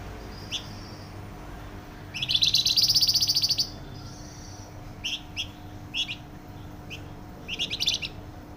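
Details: Flamboyan bird in full song, loud and tightly packed: a long fast buzzy high trill lasting about a second and a half, followed by a string of short sharp chirps at uneven intervals, with a steady low hum.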